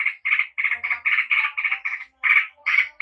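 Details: Short burst of yellow-vented bulbul gacor ropel song: about a dozen rough, buzzy chattering notes in quick succession, with one brief pause before the last few.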